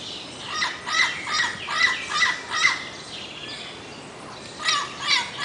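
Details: Turquoise-fronted amazon producing a rhythmic series of rough squawks, then a quiet spell, then two more harsh notes.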